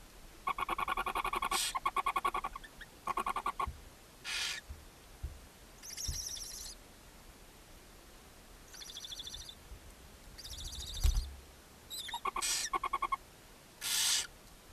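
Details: A barn owl mother feeding seven young in a nest box on a chimney, Ságvár, Hungary, May 4, 2024: bouts of rapid pulsed chittering alternate with harsh hissing screeches and wavering high squeals throughout.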